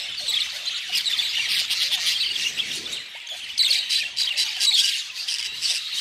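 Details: Budgerigars chattering together: a continuous, noisy wash of buzzy, scratchy warbling and squawks, growing louder in the second half.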